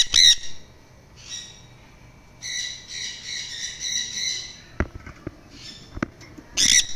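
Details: A hyper red factor mutation sun conure gives loud, harsh, grating screeches in short bursts and one longer raspy squawk.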